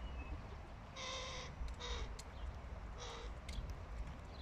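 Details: Hooded crow father feeding his fluffy fledgling son; several harsh, nasal calls with a strong harmonic stack, each about half a second long, separated by short pauses, over a steady low background rumble.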